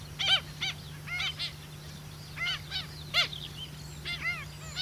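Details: Pied stilts at a roadside pond after rain at Miranda, New Zealand, give sharp, nasal yapping notes, about two a second in uneven bursts, over a low steady hum.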